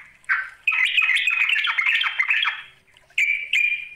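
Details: A sooty-headed bulbul calls a rival with a harsh, scratchy, squawking chatter lasting about two seconds. Two cleaner, bubbly notes follow after a short pause.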